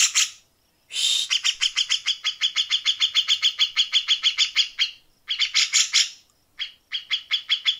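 A Grey-cheeked Bulbul gives long bursts of rapid, harsh, rasping notes, about six a second. The bursts are broken by brief pauses, and no other sounds are heard.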